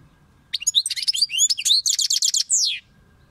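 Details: European goldfinch singing one lively phrase of about two and a quarter seconds: quick, high twittering notes sliding up and down, a brief rapid trill, then a final drawn-out descending buzzy note, with a faint low background hum.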